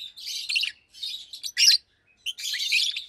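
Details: Daytime chirping from a pair of caged Fischer's lovebirds, one blue with a pure white head, one pastel green: a quick run of high, rasping chirps and twitters in four or five short bursts.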